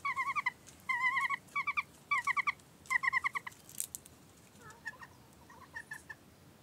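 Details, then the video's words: Chickens gossiping on a warm 15-degree March afternoon at 17:00. Rapid bursts of buzzy, stuttering clucks come in groups of four to six, repeated about every second, then trail off into softer, scattered clucks. "Hühner Tratsch im März bei warmen 15 Grad um 17:00 Uhr."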